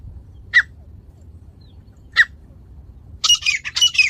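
Grey francolin gives two short, sharp squawked notes about two seconds apart, then a burst of harsh, ringing, repeated notes over a low background rumble.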